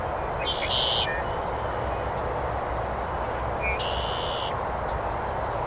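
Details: Red-winged Blackbird at the Celery Fields, Sarasota, Florida, giving two short, buzzy trilled songs about three seconds apart, over a steady roar of traffic or engine noise.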